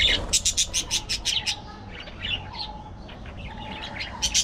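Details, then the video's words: A budgerigar fires off a rapid string of about eight sharp high chirps, then softer scattered chatter and a few more chirps at the end. "Budgie Moments: Gossip"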